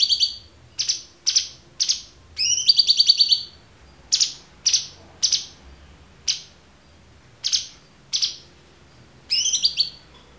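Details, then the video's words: Clear-voiced cucak cungkok used as a tutor for murai batu, cendet, kacer and konin: a series of sharp descending chips about half a second apart, broken by two brief buzzy pulsed rattles. "MASTERAN AMPUH CUCAK CUNGKOK suara jernih"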